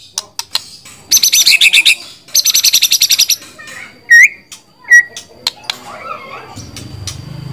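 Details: White-rumped shama with two rapid rattling bursts of evenly repeated high notes, then two loud, clear rising whistles, followed by soft scattered chips and a low rumble near the end.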